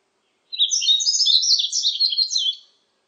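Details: Yellow-throated bunting, recorded 2020 by a national biological resources institute, delivering a single two-second song phrase of fast, high, jumbled chirps and trills, starting after a short silence and ending cleanly.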